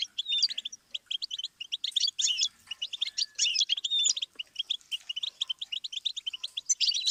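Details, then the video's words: Continuous goldfinch twittering as a song-learning stimulus. Fast, repeated high chirps and buzzy trills mix with occasional clear whistled slides, delivered in lively, almost unbroken phrases. "Series of stimuli for the goldfinch"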